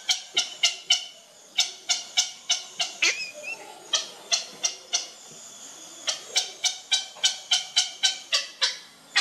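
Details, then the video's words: A one-day-old grey heron chick being fed gives a fast, dry ticking chatter of sharp clicks, about three or four a second, in irregular bursts. "Baby gray heron feeding"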